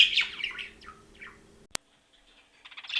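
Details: Budgerigars calling: quick, scratchy high chirps and warbles, then a sharp click, a near-silent pause, and a final burst of rapid chatter.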